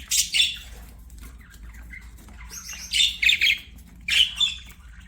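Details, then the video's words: Budgerigars singing as they play: clusters of scratchy chirps and squeaky warbled notes, loud bursts near the start, middle and end with quieter chatter between, a low hum beneath. "BUDGIES SINGING PLAYING"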